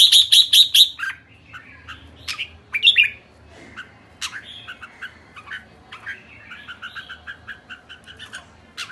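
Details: Red-whiskered bulbul calling: a quick burst of sharp, bright chirps, then a run of varied warbling and squawky notes, some dropping in pitch, others rising, continuing irregularly with a faint low hum beneath.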